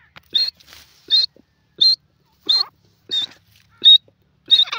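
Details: Grey francolin calling, loud sharp high-pitched notes repeated steadily about every two-thirds of a second, each note a short strident burst, seven in a row with near silence between them.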